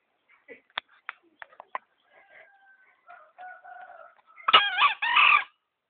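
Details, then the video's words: Tame green junglefowl, trapped in Gunungkidul and kept for three months, can be handled. Faint clicks and soft tonal notes lead into one loud, hoarse, two-part crow lasting about a second near the end. "Kokok ayam hutan hijau gacor"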